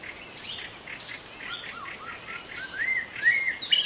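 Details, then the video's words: Young wild White-rumped shama from the forest singing a varied run of short whistled notes, some rising and some dipping, ending in clearer, louder slurred whistles over a faint steady hiss. "Kicau murai muda hutan"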